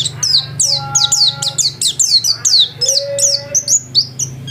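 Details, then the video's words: Home-kept white-eye in lively song: a rapid, unbroken run of high, sharply falling chirps, several a second, over faint lower whistled tones and a low background hum. "Burung pleci gacor"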